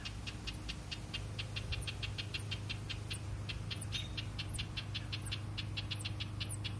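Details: A parent house wren, one of a pair, scolds an intruder near its nest of hatched nestlings about two days old, giving rapid, harsh alarm notes three or four a second; the nestlings' thin squeaks sound above, with a low engine hum beneath.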